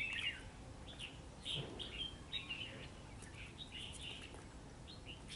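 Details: A red-whiskered bulbul confronting a trap bird in cold rain utters quick, clear, chirping whistles in short runs throughout, with a faint low thump and hiss behind.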